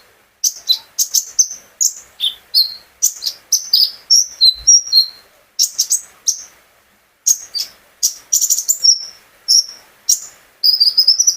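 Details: Recorded directly from the owner's sunbird as a prompt for other birds to sing: fast high chirps mixed with descending whistles, phrases broken by natural pauses.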